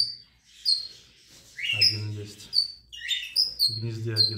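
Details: Red-rumped parrots in an aviary, kept as singing parrots alongside canaries and hybrids, give short, high chirps and sharp whistled notes, several in quick succession, with a man talking over them.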